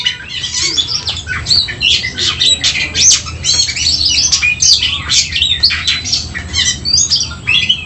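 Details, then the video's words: Aggressive fighting song of an oriental magpie-robin, meant to arouse emotion: crowded high whistles, rising and falling slurs and scratchy twitters delivered nonstop. "Ampuh dongkrak Kacer tarung bongkar emosi"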